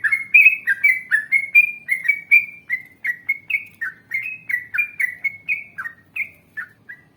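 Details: Yellow-vented bulbul singing a long, vigorous rolling song in the ngalas and ropel style, used to prompt other bulbuls to answer. It gives bubbly, whistled two-part notes, rising and falling, about seven per second without pause, with faint background hum.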